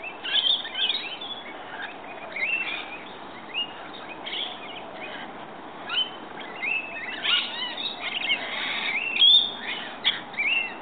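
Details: Several rainbow lorikeets that come in each morning to be fed give bouts of shrill, squeaky chattering calls that build toward the end, with gaps of low background noise between.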